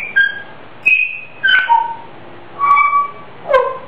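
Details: Grey parrot at home singing its own made-up tune; whistled notes stepping down in pitch and sliding, with short breaks between phrases, in a quiet room.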